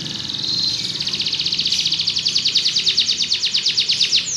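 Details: [1, 'Belgian canary singing: a long, rapid, even trill of high, sharp notes that builds slightly in loudness, pulsing many times a second throughout, with faint low background hum.']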